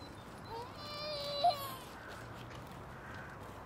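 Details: A common moorhen in Tivoli park, Ljubljana, on 30 January 2023 gives one drawn-out, nasal, slightly rising call broken by a brief sharp click, with a faint murmur after.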